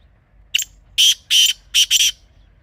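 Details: Wild black francolin recorded outdoors: one brief sharp note followed by a rasping series of four harsh, buzzy notes, the last two run close together, with a faint low rumble beneath.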